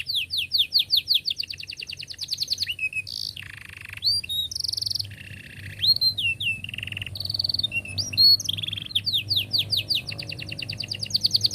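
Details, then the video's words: Extended canary song to help young canaries learn: quick runs of repeated chirps opening and closing, with buzzy rolls, whistled slides and trills in between, continuous. "KENARI GACOR PANJANG cuit cuit Ngerol Rapat Paling Dicari Untuk Pancingan Kenari Paud Belajar Bunyi"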